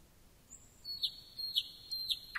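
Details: Thrush nightingale singing a high, thin whistle that leads into sustained whistled tones broken by three sharp accented notes at even intervals.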